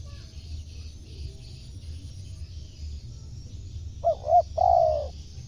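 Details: Spotted dove cooing, played to attract wild birds: after a quiet stretch, two brief hollow coos and then one drawn-out mellow coo close the phrase.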